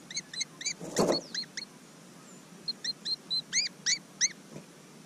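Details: Very animated Willie wagtail fledglings near Mannum, South Australia, recorded at close range with a GoPro Hero 5. They give quick, bright, upward-arching chirps in uneven runs of about a dozen, with one brief rustling thump.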